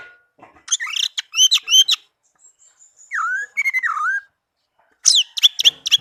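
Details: Melodious song of a tame caged orange-headed thrush: bursts of quick, sharp, high chirps, a thin drawn-out whistle, then two lower swooping whistled notes and another burst of crisp chirps.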